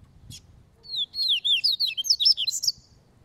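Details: Double-collared seedeater training its caveirão-style song, loose rather than caged: a quick run of high, sharply slurred whistled notes, rising and falling, packed densely over about two seconds after a single brief high chip.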